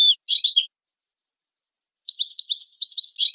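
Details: European goldfinch song used to train and stimulate goldfinches: a brief burst of bright twittering notes, a pause of over a second, then a quicker run of high chirping trills with no other sounds.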